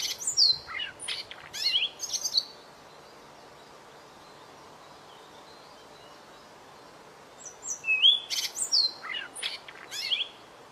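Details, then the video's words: White-rumped shama tutoring song for young birds, a dense burst of sharp chirps and whistles, several seconds of near silence, then another rich run of whistled and rising notes. "MASTERAN MURAI BATU BURUNG KECIL"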